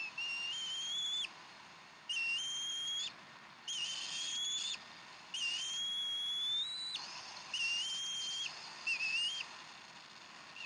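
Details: Bald eagles feeding on fresh duck at their Decorah nest, evening of 15 April 2012: six high whistled notes of about a second each, some level, some climbing in pitch, amid hissing noise.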